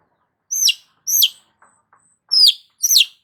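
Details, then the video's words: Long-tailed shrike in full song, used as a lure for stressed shrikes: raspy downward-sweeping notes, two close together, a pause with faint low ticks, then two more. "BURUNG CENDET GACOR PALING AMPUH UNTUK PANCINGAN CENDET STRES"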